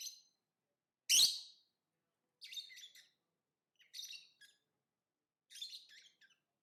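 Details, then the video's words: Lovebird giving one loud sharp chirp followed by three softer scratchy twittering bursts spaced about 1.5 seconds apart, high-pitched throughout. "Lovebird Singing & Chirping Sounds"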